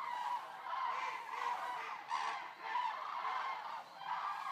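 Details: Common cranes, about 200 resting birds at a stork centre in Racconigi, Italy, call in a loud massed chorus; trumpeting notes overlap and pulse in waves under a second apart.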